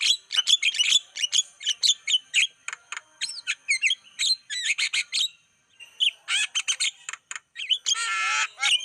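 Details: Javan myna lure song for attracting wild birds: fast, nearly continuous string of sharp clicks, chips and whistled slurs, ending in a loud harsh rasp.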